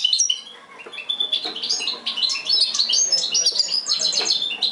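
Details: European goldfinch in mixed singing: a dense, fast twittering stream of high, tinkling notes and short buzzy trills, with varied chirps tumbling over one another without pause.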